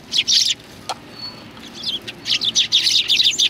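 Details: At a Tenmangū shrine on 25 November 2020, sparrows coming for food give a burst of sharp chirps, fall briefly quiet apart from a click, then break into rapid overlapping twittering.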